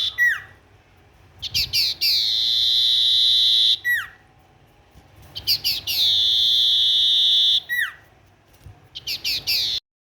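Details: Tailorbird singing actively: phrases repeat about every four seconds, each with rapid chips, a drawn-out steady high whistle and a descending slide; quieter chips fill the gaps.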